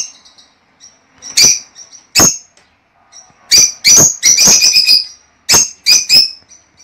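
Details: Shrill lovebird chirps played to stimulate a hen to lay eggs: two spaced chirps, then a dense, loud burst of rapid calls, followed by three more sharp chirps.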